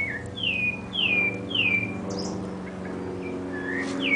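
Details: A Sabiá thrush in a home backyard in a big city sings three clear, falling whistles about half a second apart, then softer, higher notes, over a low, steady hum.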